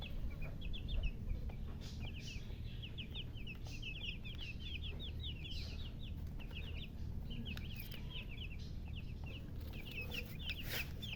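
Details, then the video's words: Several baby chickens peep in quick runs of thin, high, falling chirps, broken by short pauses. A few soft knocks sound near the end, and a constant low background hum runs underneath. "silly chicken chirping sounds"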